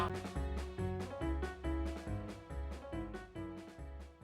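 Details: Plucked, guitar-like music with a steady beat and bass notes plays throughout, with no animal sounds.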